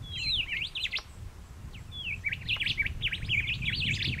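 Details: A bird, tentatively identified as a honeyeater, on the Karani track in Royal National Park, gives rapid, bright chattering notes sweeping between mid and high pitch in two bursts over a steady low rumble.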